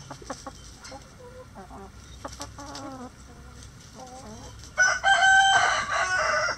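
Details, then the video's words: Chickens at feeding time in their coop: a run of quick, regular clucks and short bending notes, then a loud, drawn-out, strongly harmonic call that rises and falls over almost two seconds. "Feeding The Chickens | Relaxing Chicken Coop Sounds"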